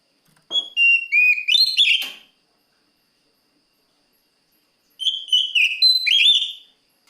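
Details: Oriental magpie-robin (kacer) song aimed at a rival: two loud phrases of sliding whistles with harmonics, a few sharp clicks near the start, separated by a silent gap of about two and a half seconds.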